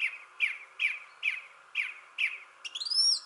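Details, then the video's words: Thrush in a shrubbery tree repeating a slurred, downward-sweeping note six times at steady intervals of under half a second, then closing with a high, rising-and-falling squeaky whistle. "Thrush Sings in the Shrubbery Tree."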